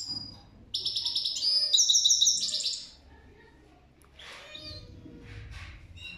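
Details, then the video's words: Goldfinch singing: a dense burst of bright, high twittering and tinkling notes for about two seconds, then fainter, scattered chirps with low background rumble. "Gold Finch The Best singing video"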